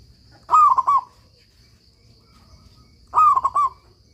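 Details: A vigorously singing local zebra dove, recorded as master song for teaching silent young doves, gives two soft, rolling coo phrases. Each opens with a sliding note and breaks into three quick pulses, with near silence between them.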